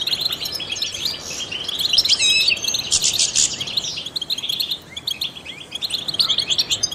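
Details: Trained European goldfinch singing, its song used to stimulate other songbirds: fast, tinkling twitters and buzzy chirps high in pitch, in dense bursts with brief pauses, a louder, richer passage near the middle.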